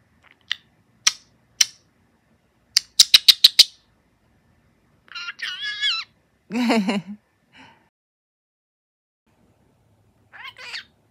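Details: A four-year-old male pet budgerigar kept indoors in Mie Prefecture, Japan, which mimics Kansai-dialect speech and comes to wake its owners in the morning. Sharp high clicks and a rapid burst of ticks, then harmonic warbling squawks with pauses between.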